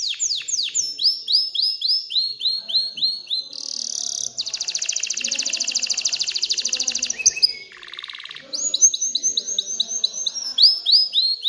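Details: Excited canary singing to stimulate females to mate and build a nest; varied high song of rapid descending whistled notes, a long fast buzzy trill, then repeated sweeping syllables.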